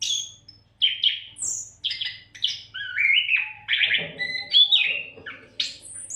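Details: Oriental magpie-robin (kacer) in nonstop song meant for tutoring other songbirds; a rich sequence of whistled notes, high sharp slurs and lower descending phrases, with a faint low hum and some rattly undertones midway.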